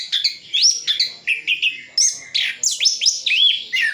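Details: Rapid orange-headed thrush song in the isian full style from Sidoarjo, East Java: quick sequences of rising whistled slurs and chirps, about two notes per second, bright and varied.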